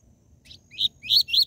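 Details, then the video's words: Rusty-collared seedeater, 'tui tui zel zel' song for stimulating captive birds; a faint first note followed by three loud, sharp, whistled chirps quickening toward the end, background otherwise quiet. "COLEIRO e PAPACAPIM CANTO TUI TUI ZEL ZEL"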